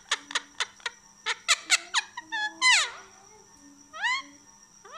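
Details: Pet Indian ringneck parakeet talking indoors: rapid sharp harmonic squeaks, then a long shrill downward-sweeping screech, and later rising whistled notes. A faint steady low hum runs underneath.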